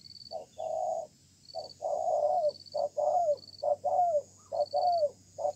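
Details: Newly caught wild spotted dove calling strongly in a contest beneath a communal stilt house, stubborn and persistent: short coo notes, then longer drawn coos that droop at the end, repeated in uneven bursts, with a steady high electronic beeping behind.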